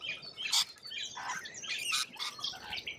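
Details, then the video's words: Harsh, explosive screeches from lorikeets in Australia, loud squawks every second or so over constant background chattering of the flock. "Australian wildlife Lorikeet"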